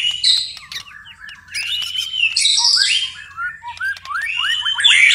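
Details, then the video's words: White-rumped shama at night giving a varied song of clear slurred whistles, short twittering runs and brief buzzy passages, with short pauses between phrases and rising chips near the end. "murai batu tetap gacor di malam hari"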